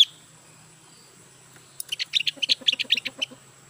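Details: Caged Javan white-eye, newly bought and not yet singing fully, gives a quick burst of about fifteen high chirpy notes over one and a half seconds, following a quiet stretch with a faint low hum in the background.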